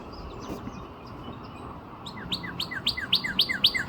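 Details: Northern cardinal near Nashville, Tennessee, on 17 April 2026: after about two seconds of quiet background hiss, a fast repeated series of two-part notes begins, a sharp rising upslur then a lower downslurred note, about four per second and growing louder.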